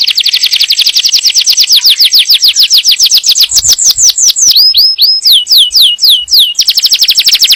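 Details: Yellow canary singing to condition the female for breeding and instruct the young: rapid high trill flowing into repeated falling whistles, a burst of upswept notes, then the trill again.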